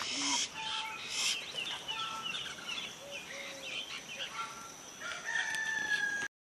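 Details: White-throated laughingthrushes feeding a juvenile: a busy tangle of short, nasal, chattering notes that rise and fall and overlap. Several birds call at once, with some high, thin squeals mixed in.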